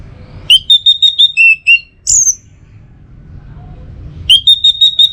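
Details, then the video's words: Anis merah singing its teler style, offered to prompt other birds to sing: a string of evenly repeated clear whistled notes, a single rising squeal, quiet, then the repeated whistles resume. "Masteran sekaligus Pancingan Burung ANIS MERAH Agar Selalu Bisa Menikmati Telernya"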